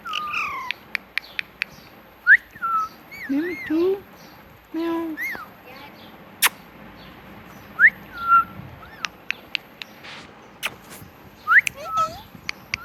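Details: Talking pet parrot giving scattered whistled slurs and a few low, rising speech-like syllables over about thirteen seconds, with frequent sharp clicks and taps between phrases.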